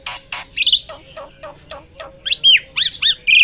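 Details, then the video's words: Hybrid myna giving a loud song that opens with a string of dry clicks and harsh notes, then bright slurred whistles rising and falling toward the end. "MISTERI JALAK HYBIRD ‼️ SUARA KERAS KICAU LANTANG ‼️"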